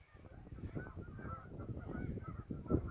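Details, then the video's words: A flock of geese on a river, heard on a short afternoon scouting trip, keeps up a rapid, busy chorus of overlapping honks with a sharp louder call at the end, against low background rumble. "River Geese"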